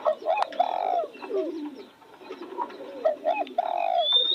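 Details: Spotted dove cooing beside newly opened roses: a clear low hooting coo phrase, a short note and then a longer drawn-out one, repeated twice. Fainter coos from other doves and a thin rising whistle from another bird sound behind.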